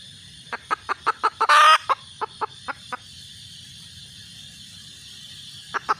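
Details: Red junglefowl hen's mating call: a quick run of clucks broken by a loud harsh burst, more clucks, then a long quiet gap before a final short group of notes.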